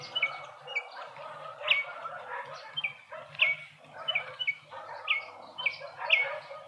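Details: Speckled mousebirds feeding in a Pretoria suburban garden, South Africa, give a run of brief high notes that slide downward, repeated irregularly about every half second, with a faint low hum beneath.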